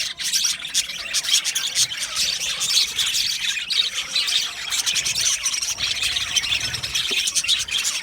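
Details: Aviary budgerigar colony producing constant overlapping chatter, high twittering and raspy chirps blending into a busy unbroken chorus.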